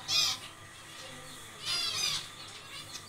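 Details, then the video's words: A Zebra finch in an aviary colony, during nest building, gives two short, nasal, harmonic-rich calls about a second and a half apart, with quieter chatter between them. "zebra Finches nest building"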